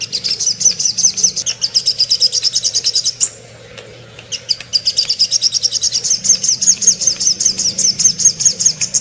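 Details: Little spiderhunter song used as a master recording for training songbirds such as white-rumped shama and magpie robin: rapid high, thin chips repeated about two and a half per second in long runs, with a brief pause midway.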